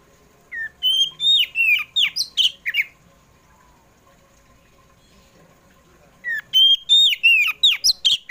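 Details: Oriental magpie-robin of the kacer poci kind in afternoon lure song for pet birds: two dense bursts of rapid, varied whistles and slurred chirps separated by a few seconds of quiet.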